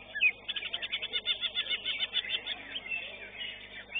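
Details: Caged greater green leafbird in a songbird competition, the first-place winner of its class, pouring out a fast chattering song of tightly repeated high chirps, then quieter twitters and a closing whistle.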